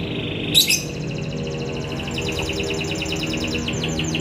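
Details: Young canary, a 'paud angkatan' bird sung free and lively, giving a fast high song of rapid repeated trills and rattling notes after a brief sharp opening note, with steady low background hum.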